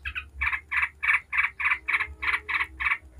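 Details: 'Ngebren' chatter of a yellow-vented bulbul, used as a lure for other bulbuls. Rough, buzzy notes are repeated steadily about three times a second after a quick double opening.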